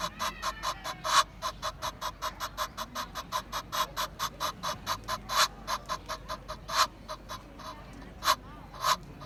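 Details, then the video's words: Egyptian goose in a sustained, fast rhythmic burst of harsh honking notes, nearly three each second, fairly even in loudness with occasional stronger calls near the end. "GANSO CANTANDO, Som de Ganso | Ganso do Egito"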